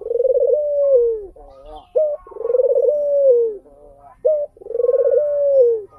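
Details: Crested, mottled tangerine-coloured ring-necked dove (puter) giving three coos: each a short clipped note, then a long rolling, purring coo that falls at the end, repeating about every two seconds with faint background hum.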